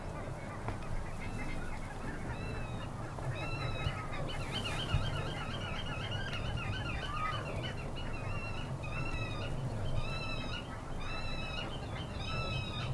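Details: Two pied avocets foraging, possibly showing nesting behaviour, at the Hempolder, Akersloot, Netherlands, on a Tuesday after work, 4 April, call together with quick, clipped, fluty "kluut" notes overlapping in bursts over a steady low rumble.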